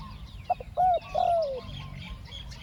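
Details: One two-note 'ku-ang' coo from a spotted dove used to lure wild doves: brief clipped notes, a rising hoot, then a longer sliding coo that drops at the end, with soft outdoor noise.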